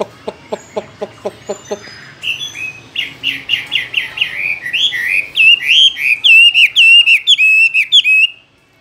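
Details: Caged Chinese hwamei: a string of sharp regular ticks, then a long rich song of rapid, buzzy notes that build into loud looping whistles, repeated phrase after phrase.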